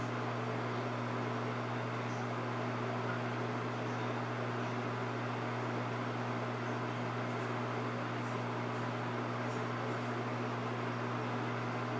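A steady mechanical hum and fan-like hiss fill an indoor room, with no animal voice.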